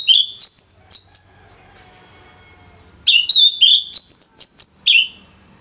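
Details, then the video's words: Full song of the orange-headed thrush from Singaraja, Bali, used to teach other songbirds: two bursts of quick, loud, varied whistles about three seconds apart with silence between. "ANIS MERAH Gacor Suara Rapet Bagus Untuk Memaster Burung Punglor"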